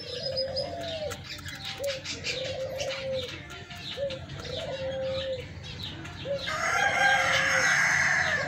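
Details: Leghorn laying hens, a white-egg breed, give drawn-out, mid-pitched calls that bend up and down, repeated every second or so; a louder, brighter burst of clucking joins near the end.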